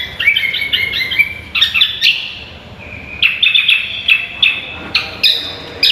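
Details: Green magpie (cucak kombo) on a training track for contest songbirds: clustered high whistles and clear ringing notes, a short quiet gap, then a run of crisp repeated whistles spaced under a second apart.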